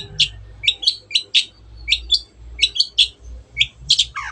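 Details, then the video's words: Shrike singing to make silent birds start singing. It gives short, sharp chip notes in quick irregular bursts, ending with a descending slurred note, over a low background hum. "CENDET GACOR MENJADIKAN YANG DIAM IKUT GACOR the sound of shrike birds"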